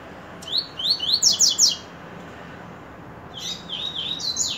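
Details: Coleiro phrase of rising whistles leading into three loud, rapid buzzy downstrokes; after a pause of about a second and a half, a softer sequence of wavering whistled notes follows.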